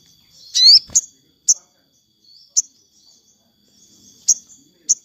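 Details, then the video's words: Sogon singing in the afternoon, played for captive birds: a loud high upslurred whistle followed by short sharp high chirps spaced about a second apart, with quiet gaps between. "suara sogon syahdu sore hari"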